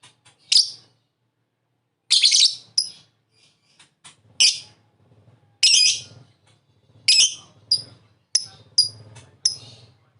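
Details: Lovebird used as a prompt to set another lovebird chattering (ngekek): loud, harsh, high chirps in short bursts, spaced irregularly about a second or more apart, with quiet gaps between.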